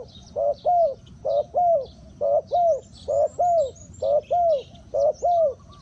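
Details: Decoy spotted dove luring wild doves, uttering clear, low, arched coos in pairs, a short note then a longer one, repeated steadily about every second; soft high twittering of other birds in the background.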